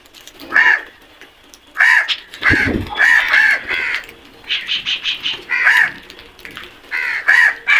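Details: A flock of black crows calling together: harsh, ragged caws overlap in quick irregular bursts, several birds answering one another throughout, with a low thud near the middle.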